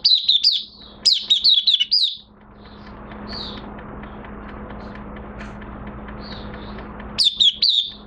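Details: Singing Oriental white-eye in minor moult: two quick bursts of bright, high twittering notes, a few soft isolated chirps, then a final burst, over a low steady hum.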